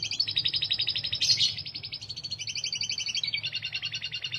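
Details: Singing canary delivering fast, high, buzzy rolled trills, each run of rapid pulses changing pitch every second or so in a continuous chain of phrases.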